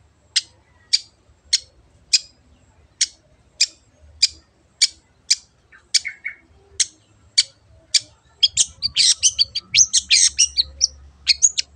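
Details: Long-tailed shrike used as a lure to set birds singing: a steady run of short, sharp, scratchy notes about two per second, breaking into a dense, rapid jumble of harsh chatter near the end.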